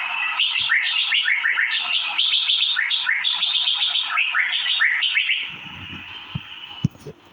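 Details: Asian fairy-bluebird (cucak biru) pouring out a long, dense stream of rapid chirps for about five seconds, then quieter, with a few sharp clicks near the end.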